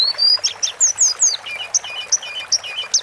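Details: Sunda forktail singing in a masteran-style recording: a long high whistle followed by a quick series of sharp, thin slurred notes and lower paired chirps, each note distinct and rapidly repeated.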